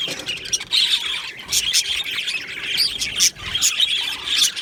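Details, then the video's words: Budgerigar colony in an aviary, recorded 22 June 2025: dense overlapping chirps, squawks and warbling chatter from many birds, with sharp louder notes breaking through every second or so. "Budgie singing sounds | Budgie chirping sounds"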